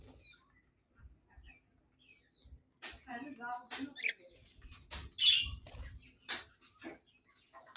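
A budgerigar chatters in quick, scratchy warbles mixed with sharp clicks and high chirps.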